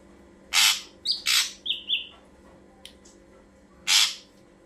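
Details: Ashy drongo song for luring birds: two harsh rasping bursts, short whistled notes between them, and a third rasp a few seconds later.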